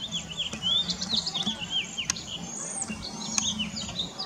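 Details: Flock of around 35 cedar waxwings perching and singing in a very bare tree while searching for scarce berries; many thin, high, drawn-out whistles and slurred notes overlap, with a low hum underneath.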